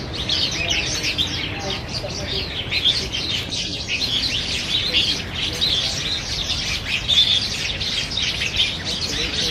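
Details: Black bulbuls jostling for banyan fruit at Niaosong Wetland Park in November 2015; many birds call at once in a busy, unbroken wash of sharp high chirps, with brief louder bursts.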